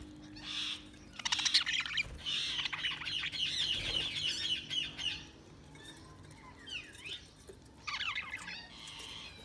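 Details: Budgies chirping: a long stretch of continuous warbled chatter with rapid buzzy trills, followed by a pause, then some sweeping notes and another burst of twittering.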